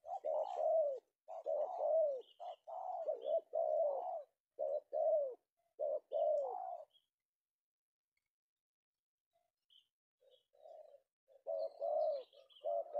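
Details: Spotted dove (tekukur), a male penguku bird secured in the afternoon in Indonesia, giving a rapid string of soft, hollow coos for six seconds, a pause, then quieter coos resuming; faint high chirps of other birds.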